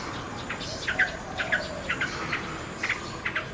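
Common nightingale giving short, bright chirping notes at a moderate, uneven pace, some in quick pairs, over a steady background hiss.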